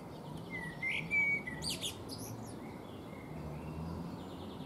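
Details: Singing Eurasian blackbird on a fruit tree, preening between phrases: a short bright whistled phrase followed by rapid, strained high twitters, then quieter soft notes trailing off against low background hum.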